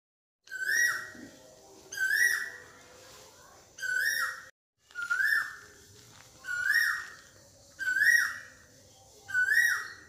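A koel gives loud, clear whistled notes that swoop upward, seven in a row, roughly one every second and a half, with faint background hum.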